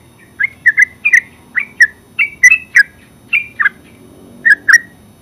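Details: Yellow-vented bulbul (terucuk) ngeropel song: sharp chirps in pairs and small clusters, irregularly spaced, with short quiet gaps between phrases.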